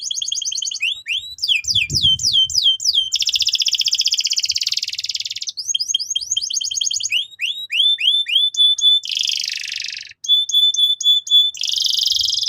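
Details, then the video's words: Varied canary training song: bursts of rapid downslurred chirps alternate with harsh buzzy rolls and sustained dense trills, plus short clipped high whistles. It is loud and nearly unbroken for about twelve seconds. "PANCINGAN BURUNG KENARI GACOR BUAT PAUD BERMENTAL TINGGI"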